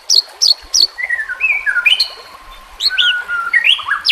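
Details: White-rumped shama song from a training recording used to coax a reluctant bird into singing, set with nature and trickling water sounds; bright whistled notes, quick high upslurs, then sliding whistles stepping through varied pitches.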